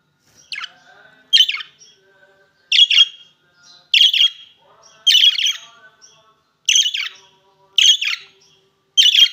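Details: Opaline green and opaline blue budgerigars giving sharp, high chirped calls in a steady series, roughly one every second, each a short bright burst with a brief double note, over a quiet background.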